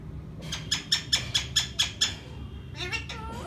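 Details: Indoor green parrot voicing a rapid run of eight clipped, evenly spaced notes, then a few rougher harmonic chatters, with room hum throughout.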